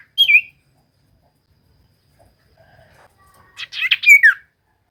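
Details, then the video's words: Common iora song used to trigger silent birds: a short slurred whistle, a long quiet gap, then a dense flurry of chirps ending in a downslurred note. "Pancingan Cipoh Gacor‼️Paling Manjur Burung Cipoh Malas Bunyi Langsung Nyaut"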